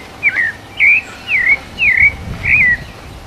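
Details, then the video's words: Sabiá parda thrush, 'canto mateiro' song recorded live: five clear whistled notes, each sliding downward, spaced roughly half a second apart, with a faint low rumble underneath. "Sabiá parda paulista canto mateiro gravado ao vivo!"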